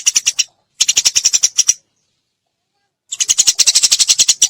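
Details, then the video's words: Eurasian tree sparrow giving rapid-fire 'tembakan' chatter: three bursts of dry, harsh chirps delivered fast, with a silent gap of over a second before the last burst. "MASTERAN BURUNG GEREJA KICAU full tembakan"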